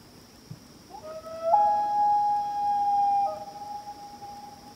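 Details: One of a pair of loons calling to each other across Washington Pond, Maine, at night gives a long, mournful wail, stepping up to a held, flute-like tone for about two seconds, over a steady high insect-like hum.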